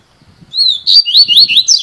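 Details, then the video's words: Double-collared seedeater singing a 'cilada'-style song: a long whistled note, then a fast run of sharp, rising, slurred notes, high-pitched and clean, with no other sounds. "COLEIRO FIBRA (CILADA)"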